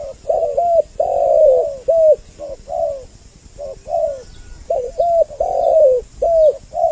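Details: Double-voiced spotted dove lure for pulling in both sexes: soft, low cooing notes in irregular groups, long warbled coos alternating with clipped hooked ones, pauses of about a second between phrases.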